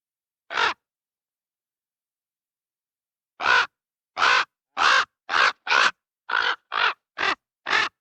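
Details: Raven producing one short harsh croak, then after a pause a fast, slightly irregular series of about nine clipped, rasping calls.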